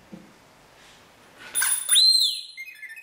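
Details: Caged pet rainbow lorikeet imitating an R2D2-style phone ringtone: after a quiet start, a sudden buzzy burst and a high clear whistle sliding up then dipping, ending in soft gurgling chirps.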